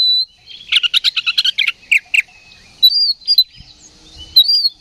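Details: Oriental magpie-robin, roused to fight, sings in ngeplong style: a fast run of about ten clipped, chattering notes, then two sharp notes, then drawn-out high whistles with pauses between them.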